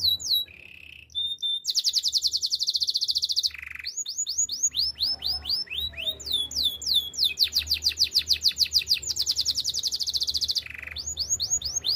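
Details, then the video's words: Canary song meant for training: short low buzzes, rapid rattling rolls held for over a second, and long chains of bright, falling whistled notes, repeated several times per second. "Active canary singing makes your canary sound"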